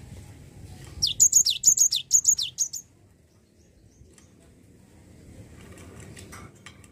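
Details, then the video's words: Java sparrow lure meant to get a reluctant bird singing: a rapid burst of eight or so piercing, high chirps lasting under two seconds, followed by near silence with a few soft clicks. "Pancingan Gelatik Malas Bunyi"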